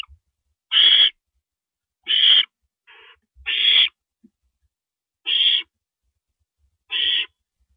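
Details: Owl on a live cam at 1:27 AM, April 9, 2012, while an owl swallows a rabbit; a series of harsh, hissing screeches roughly every one and a half seconds, with a weaker, shorter rasp among them and occasional faint knocks.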